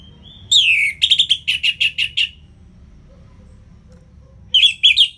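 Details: Orange-headed thrush singing ngeplong style as a prompt for birds reluctant to sing: a long downslurred whistle followed by about six evenly spaced, ringing chopped notes, then a further lively warble.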